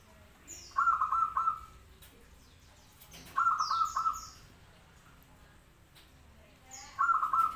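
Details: Local zebra dove singing actively: three short cooing phrases of soft, rapidly pulsed notes, each under a second, spaced about three seconds apart, with thin high descending whistles from another bird in between.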